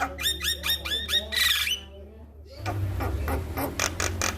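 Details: Male Javan myna master recording for triggering song: a fast series of harsh squawking notes ending in a raspy burst, then a pause and dense noisy chatter with a low hum.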